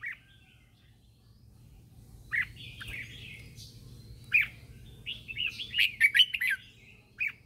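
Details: Lure red-whiskered bulbul singing in the morning to call wild birds: isolated loud chirps at first, then a busy burst of rapid warbled notes, then one last chirp, over a low constant hum.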